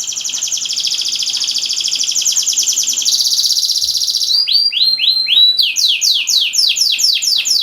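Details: Canary song played to get stalled canaries singing: a long rapid trill shifting to a higher roll, then a series of sharp descending whistled notes repeated about twice per second.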